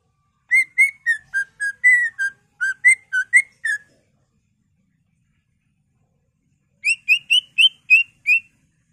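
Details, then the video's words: Greater green leafbird singing to stimulate other leafbirds to sing: clear whistled notes, each slightly falling, delivered in a quick run of about a dozen, a pause of several seconds, then a shorter, higher run of seven notes. "Pancingan Cucak Ijo Merangsang Cucak ijo lain"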